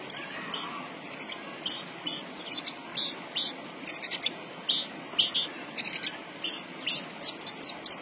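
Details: Javan bush lark singing persistently: scattered high chirps and short buzzy bursts, with sharp rising notes clustered near the end, over a steady background hiss.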